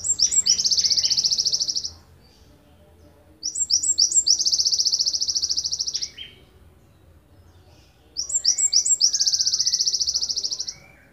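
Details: Long-burst song of a wingko Java sparrow from Ponorogo, used to train songbirds: three phrases, each opening with quick chip notes that run into a long, even, high rattling trill, with gaps of about two seconds between phrases.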